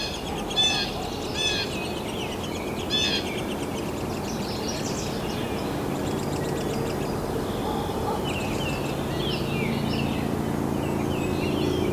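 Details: Downy woodpecker nestlings, at least three, begging from inside a nest cavity as adults bring food in late May to early June, give high, thin, overlapping chirps in short bursts over a steady low rumble.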